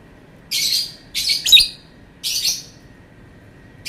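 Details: Lovebird giving several short, harsh squawks in bursts of roughly half a second each, separated by short pauses.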